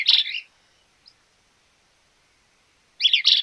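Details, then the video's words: Small-billed Elaenia in Argentina: a short burry, buzzy high note cluster at the start, then silence for over two seconds, then a second similar rough double burst at the end. "Fiofio pico corto"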